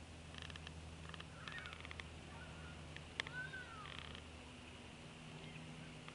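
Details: Nest-cam recording of an adult bald eagle fussing at the nest on 10 February 2016. Quick staccato piping pulses come in clusters, with a few thin descending whistles and a sharp click, all over constant electrical hum.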